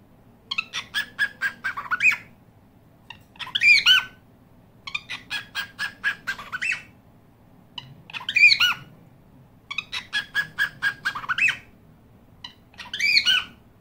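A cockatiel gives bursts of harsh, rapid chattering notes, each run ending in a sharp upslurred squawk.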